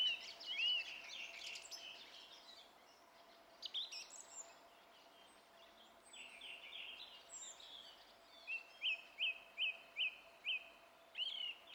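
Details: Song thrush in song, 27 April 2016: a loud slurred whistle opens, then varied chattering and squeaky phrases with pauses, ending in a run of five identical sharp notes repeated rapidly.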